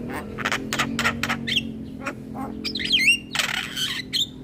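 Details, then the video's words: Javan myna chatter used to lure mynas and starlings: evenly spaced harsh notes, then a burst of twisting whistles and a loud noisy rasp, with a low hum underneath. "PAncingan Semua Jenis Burung Jalak dengan Ocehan Jalak Kebo Masteran"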